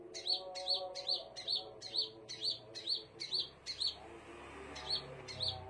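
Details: Scarlet minivet singing: a run of short, high whistled notes with a sharp onset and slurred ending, repeated about twice a second, with a brief pause near the end, over a faint low steady humming drone.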